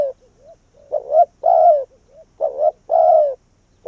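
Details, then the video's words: Spotted dove, a decoy bird calling to draw wild doves into its tree: low, mellow coos in phrases of a short double note then a longer, falling croo, repeated about every one and a half seconds. Softer coos between phrases. "Cu Gáy Việt Rút Bổi Về Chung Tàn | suara burung tekukur"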